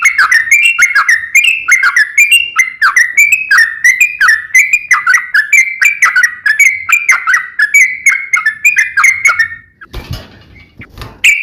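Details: Energetic sooty-headed bulbul song, nembak ropel ngeplong style. Continuous slurred whistled phrases roll on for about ten seconds, then a short burst of rough noise, and a last whistle ends it.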